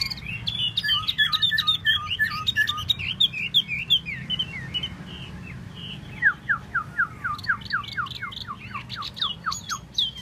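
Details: Tieu mi bird singing solo: rapid run of sharp whistled chirps and upward-sweeping notes, several per second, with a series of rising slurred whistles in the second half and low background hum.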